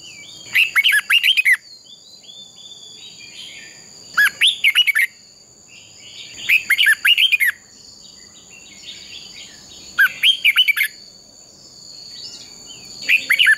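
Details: Red-whiskered bulbul (Pycnonotus jocosus), fighting song: stirring rival birds to sing in competition.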